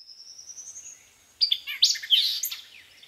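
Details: White-eyed vireo singing at Land Between the Lakes, Kentucky, in 2010: after a faint, thin, rising whistle from another bird, a loud, explosive phrase of sharp, chattering, slurred notes bursts out for about a second and a half.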